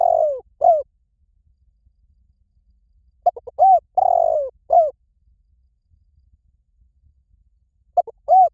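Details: Spotted dove lure call: short cooing phrases of two quick notes, then a longer falling coo and a final clipped coo, repeated in bursts separated by silent gaps of a few seconds, with a clean, quiet background.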